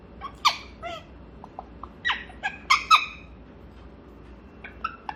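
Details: During its morning talking time a pet grey parrot gives scattered calls: a few harsh squawks and clear whistles broken by short pauses, with soft clicks in between.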